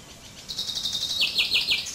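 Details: Fringilla coelebs song fragment: a rapid trill of steady high notes followed by four strong falling notes and a closing high note, sung by a common chaffinch.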